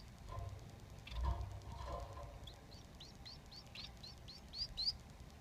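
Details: Three young Society finches beg while the father feeds them: after a second or two of low rustling and thumps, a quick run of high, upward-flicking chirps follows, growing louder toward the end.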